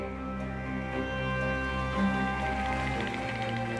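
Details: Soft, sustained instrumental background music with gentle held tones and a light shift in texture near the end; no animal calls stand out.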